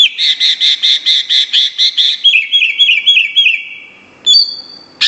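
A greater green leafbird sings a fast run of about ten bright, rattling notes, then a string of rising whistled slurs and a sharp clear whistle.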